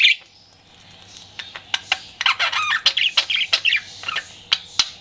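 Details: Pet budgie flirting, with a sharp opening chirp, then scattered clicks building into rapid, scratchy warbled chatter.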